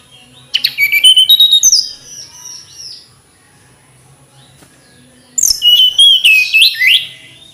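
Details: Flycatcher song, called melodious and calming: two bursts of high, thin, rapid twittering notes with sharp descending slurs, separated by a few seconds of near silence and a faint steady high tone.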